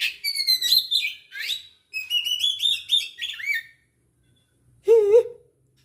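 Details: Aceh-type Oriental magpie-robin, 24 December 2022: bright, clear whistled phrases with sliding and trilled notes in two bursts separated by a short pause, followed by a lower, wavering, buzzy note near the end.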